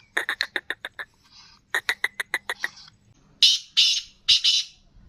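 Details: Captive black francolin calling: a rapid series of about eight short evenly spaced notes, a pause, a second similar burst, then three loud harsh rasping squawks at the end.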